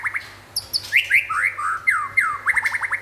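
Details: White-rumped shama, called local and forest, singing lively: rich varied whistles, loud downslurred notes and sweeping phrases ending in a rapid series of short rising-falling notes, with a few high chips at the start.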